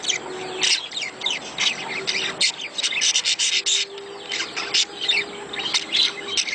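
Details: Budgerigar mating chatter used to encourage breeding: dense, rapid, high scratchy warbling with clicks and squeaks running almost continuously, plus a faint steady low hum.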